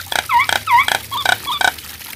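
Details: Nias hill myna singing, a string of loud harmonic notes and swooping whistled phrases, some rising and falling in smooth arcs, delivered in quick bursts.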